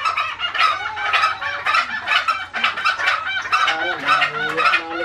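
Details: A fierce, vocal Green junglefowl (Gallus varius) gives harsh, hoarse, clucking calls in quick succession, roughly two per second, with people talking quietly in the background.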